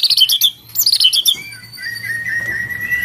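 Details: White-rumped shama singing a cililin-filled song: two quick bursts of rapid chattering high notes, then a long thin sustained whistle held steady over a soft background hum.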